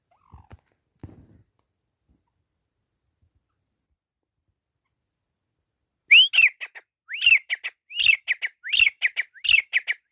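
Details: Grey francolin in a fight. After a few faint sounds and a long silence, loud rising whistles break out, each trailed by short staccato notes, repeating in a quick rhythmic series.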